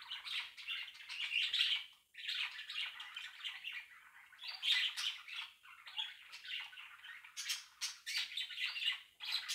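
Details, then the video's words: Budgerigar chatter: a steady stream of scratchy, warbling chirps and squawks, high-pitched and almost unbroken throughout. "perruche ondulée"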